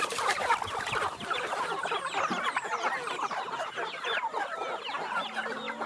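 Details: A flock of free-range chickens being fed, a continuous busy chorus of clucks and chatter from many birds at once, with a few faint high descending whistles early on.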